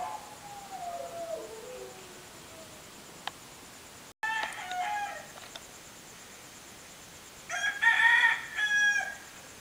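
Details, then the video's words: A rooster early on a vacation morning gives a loud, ringing crow with a long, drawn-out final note near the end. A fainter, falling crow comes earlier, with a few short harsh sounds between. "barking dog crawling rooster"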